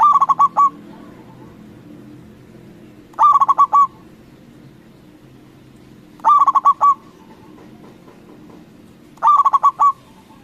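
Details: Local zebra dove calling hard to provoke rival doves into responding: four repeated phrases of quick, percussive, hollow coo notes, spaced about three seconds apart, over a soft low rumble.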